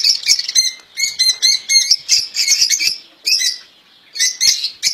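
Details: Caged European goldfinch, called royal goldfinch, delivering its error-free song: lively twittering phrases of bright chirps and short buzzy notes, with a clear pause around the middle before singing resumes.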